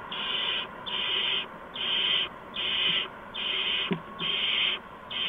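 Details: Owlets at a nest during evening food deliveries of mice and a gopher, March 13, 2015, around 8 PM; loud, regular hissing screeches, about seven bursts each half a second long, with a brief click between.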